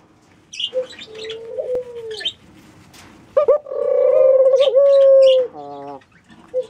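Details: Soft, low mourning dove coos, one quieter and one louder and sustained, amid bright chirps and short twittering from other birds.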